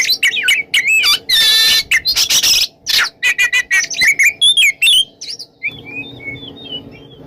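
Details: Oriental magpie-robin "ngeplong" morning song for prompting silent magpie-robins: harsh, raspy bursts mixed with fast twittering and whistled notes, then softer scattered whistles over a low background hum.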